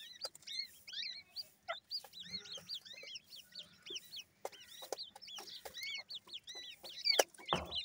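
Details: Chorus of grey francolin chicks, locally called teetar, giving clustered high arched cheeps in uneven bursts with short pauses, punctuated by frequent sharp tapping clicks and a louder rustle near the end.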